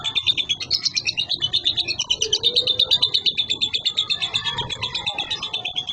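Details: Young lovebird from Boyolali, a contest bird kept in a collection, singing in the konslet style without doping: a continuous, rapid, high chattering trill pulsing nearly three times a second, with lower chirps underneath.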